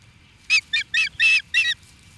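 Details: Osprey reacting to an intruder, Charlo, Montana, USA: five loud, ringing, slightly rasping cries in about one and a half seconds over a low background rumble.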